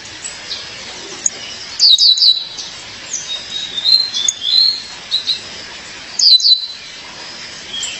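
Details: Two bright clusters of high, falling chirps frame a stretch of softer, wavering whistled notes as a female Violaceous Euphonia calls her mate.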